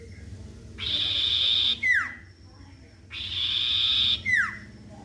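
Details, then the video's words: Sirtu lure song, played to coax a bird into singing, repeats a long buzzy rasp followed by a quick falling whistle, the pair heard twice. "pancingan burung sirtu macet bunyi"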